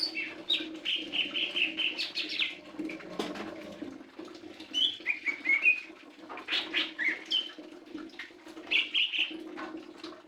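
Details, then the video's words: Lesser green leafbird giving bursts of high whistled and chattering notes in short phrases, separated by pauses, with a constant low hum and occasional clicks. "Burung Hijau Daun Kecil"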